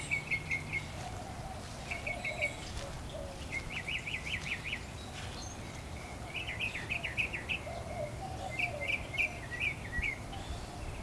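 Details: Mockingbird singing in a back yard: short chattering phrases repeated two to four times before switching to a new phrase, with a lower warble underneath and steady background hum.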